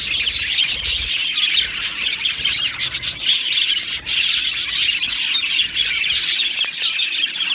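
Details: Budgerigar colony kept in an aviary, a constant high chattering hubbub of many birds with fast twitters and raspy notes and a brief dip near the middle.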